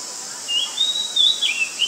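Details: Oriental magpie-robin in Ubon Ratchathani, Thailand, 19 March 2022, a very common resident; a brief run of sweet, high whistled notes, sliding up and down in quick succession.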